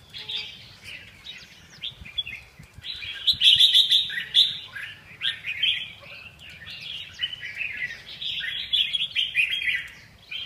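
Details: Red-whiskered bulbul singing a dense run of bright chirps and short warbled phrases, mostly high-pitched, with louder bursts around the middle and toward the end and faint low background rumble.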